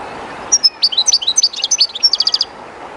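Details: European goldfinch, a kept bird, singing beside the current of the Jerte River: a brisk burst of high, liquid twittering notes closing with a quick series of five or so rapid repeated chirps, steady river rush underneath.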